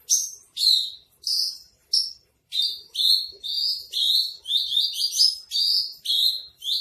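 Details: Javan bush lark, spotted 'trotol' form, singing masteran: high descending chirps that speed up into a near-continuous run of slurred notes after a brief pause. Faint low knocks sit underneath.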